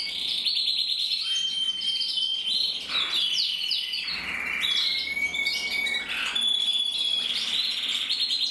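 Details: Duet of two red-black canary cocks, intensive and frosted: continuous high song of rapid trills, clear sustained whistles and descending slurred notes, richly layered throughout.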